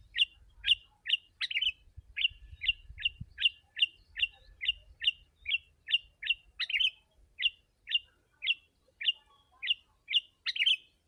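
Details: Close-packed lure song of a sooty-headed bulbul for wild birds: a steady string of short clear slurred notes about twice a second, occasional richer bubbly phrases, faint low noise at the start.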